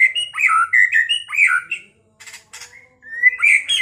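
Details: White-rumped shama song meant to goad a rival into fighting and song: loud, varied whistled phrases at quick pace, a few harsh rasping notes, then rising fluty whistles.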